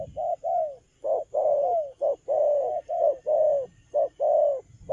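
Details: Spotted dove, a young wild-caught bird in moult, delivers its stuttering cà lăm lỡ coo with vigour: a steady chain of mellow hooting notes, about one per second, some clipped and short, others drawn out and falling.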